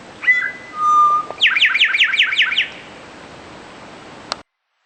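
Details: Song of an eastern towhee: a clipped opening whistle and a long low held note, then a quick ringing trill of about seven falling notes. A single faint click follows after a short silence.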